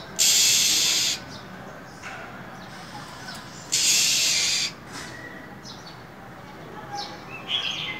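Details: In cold winter, a female than songbird rouses a male with harsh, breathy hisses: two loud bursts about a second long, then softer scattered chirps and faint notes.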